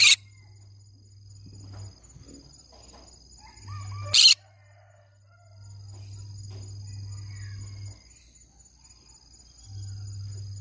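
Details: Green-cheeked conure letting out two abrupt rasping screeches about four seconds apart, with faint chirps and a low droning hum in between.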